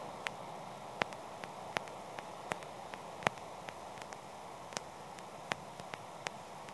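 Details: Even background hiss punctuated by short crackling clicks at uneven intervals, and no animal voice anywhere.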